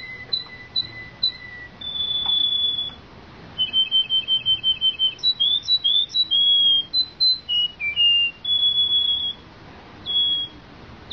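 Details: A Belgian canary sings: sparse high notes and a held whistle, then a quick rattling series of chirps, sliding warbled phrases and long pure whistles separated by short pauses.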